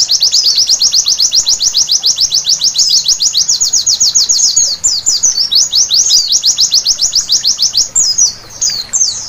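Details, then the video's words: White-eye song at night, used as therapy to make the birds sing eagerly: an unbroken, rapid run of high, thin downslurred chirps, fast and even at first, then turning into looser twittered phrases with short pauses near the end. "Terapi Pleci Malam Hari Bikin Gacor seketika!!!"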